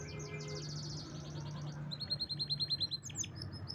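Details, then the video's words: Canary song of fast high trills, shifting to a rapid pulsed series of rising chirps, over a noticeable steady low hum. "Canary's most powerful song"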